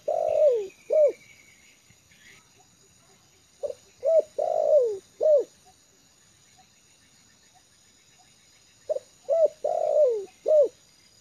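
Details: A trained spotted dove comfortable in a yard repeats its cooing phrase three times over about eleven seconds, each a short pip, arched coos and one long downward-sliding coo, with a faint high whistle early on.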